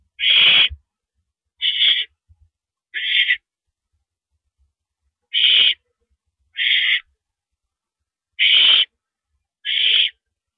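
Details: Owl at its nest after 1 AM on 6 April 2012, the male bringing a rabbit: seven scratchy, breathy screeches with irregular gaps, including a pause of about two seconds midway.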